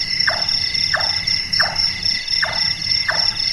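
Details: Large-tailed nightjar, known locally as burung tukang after its carpentry-like sound, calls at night. It gives five knocking notes dropping in pitch, spaced about two-thirds of a second apart, beneath a steady high insect drone.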